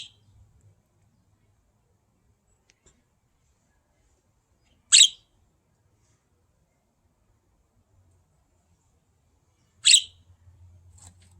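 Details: A blue budgerigar, one of a pair, gives two sharp, bright chirps about five seconds apart, with quiet between them.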